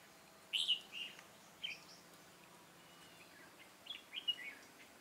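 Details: Red-whiskered bulbul recorded during bird trapping on 13 March 2017; two short bursts of bright whistled notes, one near the start and a chirpy phrase near the end, over a steady hiss of background noise.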